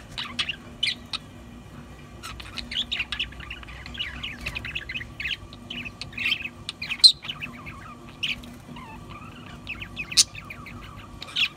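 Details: Budgerigar warbling softly with varied chirps, wavering notes and occasional sharp squeaks scattered irregularly, loud clicks near seven and ten seconds, steady faint hum behind.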